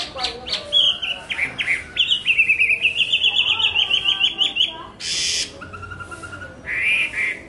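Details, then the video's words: Chinese hwamei (họa mi) delivering varied whistled phrases: sliding notes, then a long fast trill of bright repeated syllables, broken by short bursts of harsh noise and a rising-falling whistle. "tiếng hót hay nhất của chim họa mi phần 2 | The beautiful song of the nightingale part 2"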